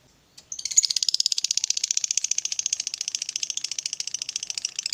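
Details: Fighter lovebird in a long ngekek, played to coax a quiet lovebird into song: after a single tick, a dense, rattling high chatter of rapid pulses runs steadily for about four and a half seconds.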